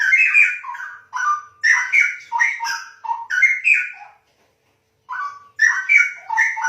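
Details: Straw-headed bulbul, known locally as cucak rowo, singing rich gurgling whistled phrases in rapid tumbling bursts, broken by one clear pause of about a second before the melodious warbling resumes.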